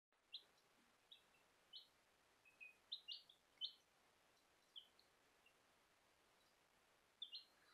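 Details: Bielefelder baby chicks peeping: high, short chirps in scattered bursts, some in quick pairs, over a steady background hiss.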